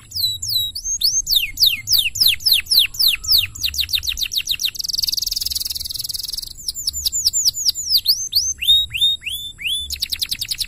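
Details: Canary song used as a master recording for training: long run of rapid descending whistled sweeps, a dense buzzy trill in the middle, then rising and falling whistles repeated about three times a second.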